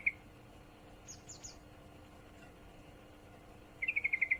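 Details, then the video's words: Sooty-headed bulbul, a female in heat calling a male; a single sharp note opens, thin high chirps follow, then a fast even run of about eight clipped notes closes. "trucukan betina birahi memanggil jantan"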